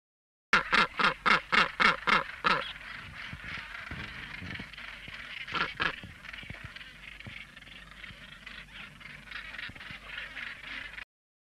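Northern gannet giving a fast run of about eight harsh, grating calls, roughly three a second, then ragged calls from other birds over a steady colony din.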